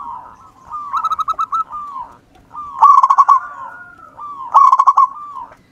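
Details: Zebra dove of a local wild strain, singing persistently for use as a lure: three phrases, each a soft lead-in coo followed by a fast series of about six loud pulsed notes.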